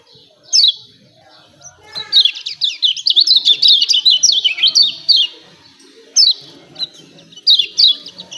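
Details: Lemon-bellied white-eye, used to provoke birds to sing: a lone sharp chirp, then a long rapid run of descending chirps, followed by spaced single and paired chirps.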